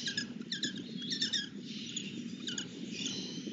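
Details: Lesser kestrel begging during a feeding: clusters of thin, high, rapidly repeated chirps in short bursts, several bursts over a few seconds, with a steady low rural background hum.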